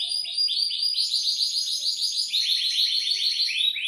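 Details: Canary in breeding condition giving a long rolling song: a steady, fast stream of short, bright rising notes repeated about five times a second without a break, shrill and ringing throughout.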